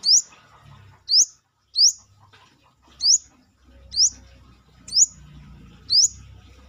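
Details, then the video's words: Brown-throated sunbird singing actively outside its cage: sharp, high, rising whistled notes given singly about once a second, seven in all, with faint low background hum. "KORLAP (Kolibri kelapa)Manggar gacor luar sangkar"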